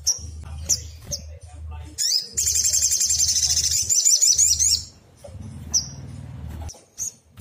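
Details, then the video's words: Black sunbird, known locally as sogon, singing agitatedly as a lure for other birds: separated high squeaky notes, then a long, rapid, shrill trill of about two and a half seconds, followed by scattered chips, with a low droning hum. "Pancingan paling ampuh bikin SOGON apapun jadi nyaut nembak - PANCINGAN SOGON AGAR BUNYI"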